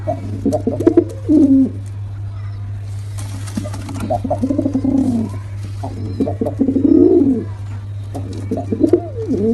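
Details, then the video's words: Deep, purring coos from male and female pigeons come in clustered bursts with quieter gaps between, accompanied by a continuous low-pitched hum. "Male & Female Pigeon Combo Attacks Sound"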